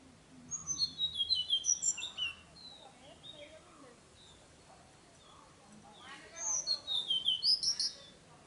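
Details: Tickell's blue flycatcher, filmed 4 June at Nandi Hills, Karnataka, sings two bursts of rapid, high, sweet descending notes, the second after a pause of about three seconds, over a quiet background.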